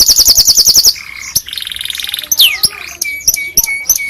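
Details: Canary singing to train other canaries: a quick high pulsed trill, a lower steady buzzy roll, a sweeping slurred note, then a series of short repeated clipped notes.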